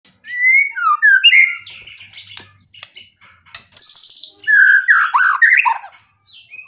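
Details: White-rumped shama singing actively in full isian style, a song packed with imitated material: clear whistled phrases sliding up and down, then a burst of loud varied notes with rapid rising and falling slurs.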